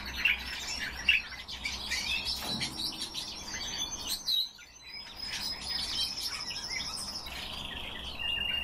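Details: Captive pet common starling singing on request, a long flow of chattering, clicks and creaky notes with a couple of extended thin whistles and a brief quiet pause midway.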